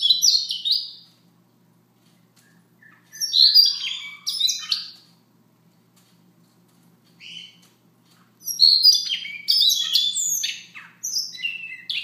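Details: Siberian rubythroat singing quietly in the morning, several short bursts of mixed high whistles, twitters and scratchy notes spaced by silent gaps of two to three seconds.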